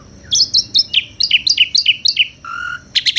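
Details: Asian pied starling singing actively and melodiously: a quick series of short, bright, downward-slurred chirps about every quarter second, then a flat mid-pitched whistle and a burst of high rapid notes.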